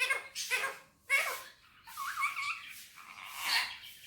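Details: Pet Indian ringneck parakeet on a table indoors, talking in Urdu/Hindi: three breathy, speech-like syllables, then a wavering, nasal drawn-out note and a final hoarse syllable.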